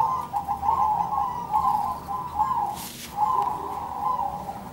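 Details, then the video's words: Zebra dove song with birds answering each other: rapid soft staccato cooing notes strung into long rolling phrases at a steady mid pitch, broken by a short rushing noise near the middle. "suara burung perkutut nan merdu"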